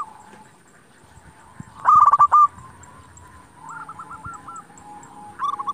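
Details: Zebra dove, local type, singing to draw replies from rival doves: quiet start, a loud burst of rapid strokes near two seconds, a softer run of looping coos, and a final loud burst.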